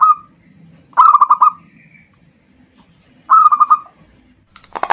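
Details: Local zebra dove singing, used to provoke other birds into song; two separate trilled cooing phrases of several rapid, rolled notes with a pause between, followed by a rough rustling noise at the end.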